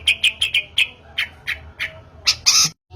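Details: Long-tailed shrike lure audio: a row of short rapid chips, then slower separate harsh notes, ending in a loud rough screech.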